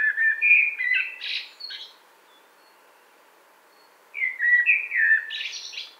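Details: Common blackbird (Turdus merula) singing two mellow, fluted phrases, each ending in a thin, high squeaky twitter, about two seconds apart; recorded 2018 around Wittlich.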